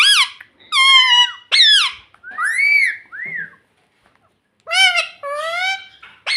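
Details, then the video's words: Parrot at home, talking "mummy": quick series of harsh bent syllables and arched whistled notes, a short silence, then two more rapid nasal squawked phrases. "Parrot Talking Mummy Mummy"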